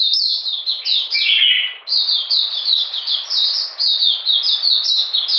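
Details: Oriental magpie-robin singing during cold rainy weather, 13 June 2020, with a lower, fuller downward slur early on, then a pause and a steady run of high, falling whistled notes.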